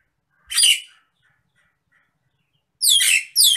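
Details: Agitated Nias hill myna giving a loud, harsh, broadband squawk, then near-silence with faint tones, then two more rasping bursts close together at the end.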